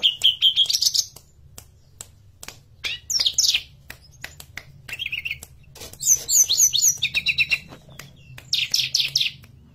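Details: Forktail song used as a lure to make birds sing. It is made of high-pitched bursts: a quick run of pure piping notes, then clustered scratchy trills and a fast sequence of very high whistled ticks, with short gaps between.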